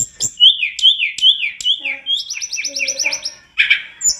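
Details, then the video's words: Master recording of a tledekan gunung singing, meant for training other birds. Repeated whistled notes that slur downward, then a fast run of high buzzy trills, ending in a harsh chatter. "Masteran TLEDEKAN GUNUNG gacor dor istimewa full isian"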